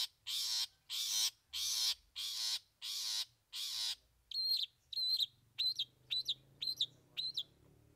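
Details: Long-tailed Shrike unloading three mimicked fillings: six loud, grating rasps, then a faster string of short, ringing, whistled notes repeated several times a second.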